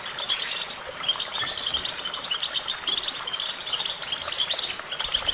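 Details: Goldfinch song with quick, high chirping phrases, followed near the end by a long, thin whistled note that slowly falls in pitch, over gentle background hiss.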